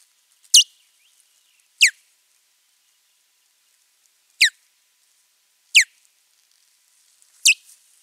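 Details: Five sharp, high whistled calls from an osprey at a nest during a territorial fight, recorded 19 April 2023 in Finland, each slurring steeply downward, spaced one to three seconds apart, with near silence between.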